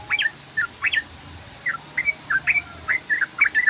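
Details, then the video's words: Long ropel singing from a sooty-headed bulbul, the Indonesian trucukan: lively warbled chirps, each note sliding up or down, delivered in a steady chattering stream. "BURUNG TRUCUKAN ngeROPEL PANJANG"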